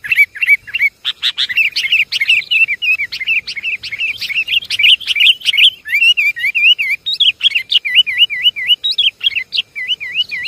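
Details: Busy lure recording of Javanese sooty-headed bulbuls: dense chattering at first, giving way to repeated looping, wavy whistled notes, each about a third of a second long, delivered steadily.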